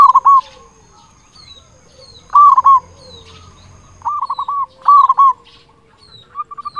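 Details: Zebra dove of a local strain, loud-voiced, used to draw in and excite other zebra doves; short rolling coo phrases of three to four hooked notes recur every second or so, some louder and fuller, with a thin steady tone behind.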